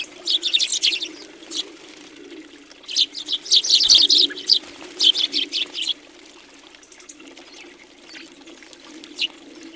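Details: House sparrows at a busy feeder in Recke, Germany, January 2020, chirping in short energetic bursts early on, then quieter with only scattered notes and a low background hum.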